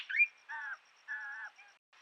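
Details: Common green magpie at a forest pool on a camera trap, Huai Khayeng Nature Park, early March 2025 dry season: a quick rising whistle, then two harsh, nasal notes about half a second apart, with a faint high ticking behind.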